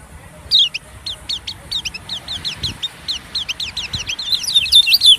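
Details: Lure sound of white-eyes for attracting small birds: a steady, rapid stream of short, high, downward-slurred chirps, growing louder and busier toward the end.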